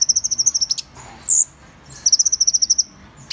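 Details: Van Hasselt's sunbird singing rapid, high metallic trills of evenly spaced ticking notes, two bursts of roughly a dozen notes each, separated by a single squeaky chirp, with a sharp rising note at the end.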